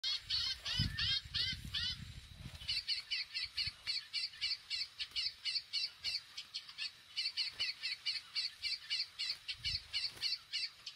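Chestnut-bellied seed finch singing a fast, steady series of high, clear whistled notes, about three or four a second; low rumbling noise in the opening seconds.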